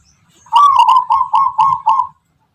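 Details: Zebra dove of the local Tangguh Tuban type, whose voice is described as rhythmic and melodic. It delivers a quick run of six pulsing, trilled coos at an even pace, ending abruptly in silence.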